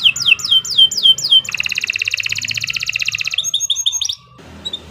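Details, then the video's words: Nusantara canary song meant for tutoring young birds: five looping descending whistles, a long even rattling trill, a short run of high clipped notes, then near silence with low hum. "Kicau Burung Kenari 134 II LUAR BIASA GACOR PANJANG Cocok untuk Masteran"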